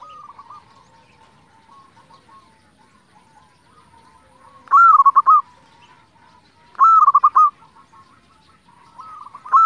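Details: Local zebra dove singing to provoke others of its kind; low background cooing fills the first seconds, then two loud phrases of a sustained coo breaking into rapid stuttered notes, about two seconds apart.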